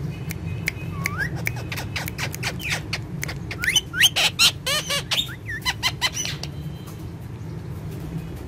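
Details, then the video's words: A pair of talking ringneck parrots kept as pets, shown dancing together: a rapid run of sharp clicks and harsh squawking bursts with a few rising whistled notes, busiest in the middle, over constant low background hum. "Dancing And Talking Ringneck Parrots"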